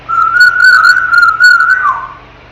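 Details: Ten-month-old African grey parrot, a household pet, in its crib gives one long, steady, pure whistle with slight wavers, ending in a quick downward slide.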